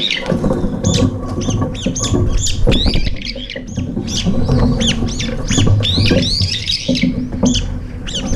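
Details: Group of brown-eared bulbuls at a morning feeding spot, sharing food and then fighting; dense overlapping harsh squeals and slurred shrieks almost continuous, over a low rumble.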